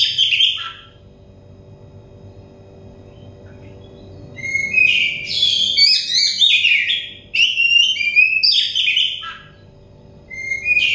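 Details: Oriental magpie-robin (kacer) song, used as therapy material to bring a stressed bird into full, loud singing: bursts of varied whistles, trills and buzzy notes in three separate outbursts with quiet gaps between, over a faint steady hum.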